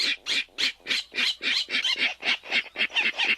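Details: A Virginia rail in a wetland gives its grunt call, a steady series of harsh, pig-like oinking notes at almost four each second; pairs may join in together. No other sounds stand out.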